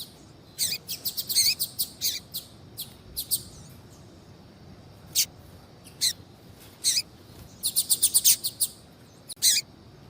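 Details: High sharp notes from a female double-collared seedeater calling to stimulate a male to sing, in quick clustered runs at start and near the end, with lone chirps between.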